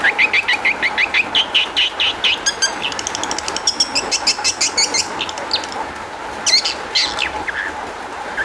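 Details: Long-tailed shrike lure song meant to prompt other shrikes to answer: a run of about a dozen harsh, evenly spaced notes gives way to a fast dry clicking chatter, then a few sharp whistled slurs, with a constant background hum.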